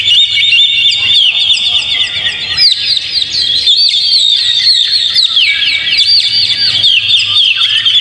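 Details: Continuous bright song of an Oriental magpie-robin meant to provoke a caged bird to sing. Shrill chattering notes repeat quickly, mixed with rising and falling whistled slides and a soft low hum beneath.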